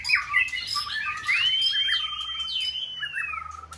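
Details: White-rumped shama in full season, a caged competition bird, sings to stimulate a rival. Scratchy squeaks lead into one long, smooth whistle held level before dropping away, with soft twitters underneath.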